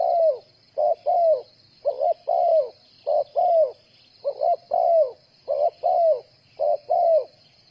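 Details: Spotted dove serving as a decoy in bird trapping, giving rhythmic coo phrases, short note then falling longer note, nearly one pair per second, with a persistent shrill background hiss.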